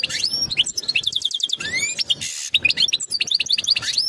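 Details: European goldfinch singing mating calls to bring the female into breeding condition: rapid trilled chirps and liquid twitters, a rising slurred whistle partway through, then more lively chattering notes.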